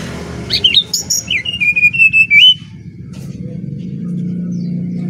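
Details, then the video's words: Brown-chested jungle flycatcher from Bali singing to lure other birds: a few twisting high chirps, then a sustained whistled phrase at one pitch, followed by low background rumble. "Burung Sikatan Rimba Dada Coklat Bali Gacor Nyuling Untuk Pancingan SRDC"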